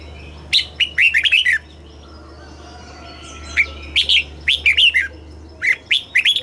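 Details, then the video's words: Red-whiskered bulbul song from Thailand in the southern master style, played for caged birds and to train young birds: lively whistled phrases of four or five quick notes, repeated after brief pauses over a low hum. "เสียงนกกรงหัวจุก สำหรับต่อ หรือ เปิดให้นกคึก เสียงเพราะๆ"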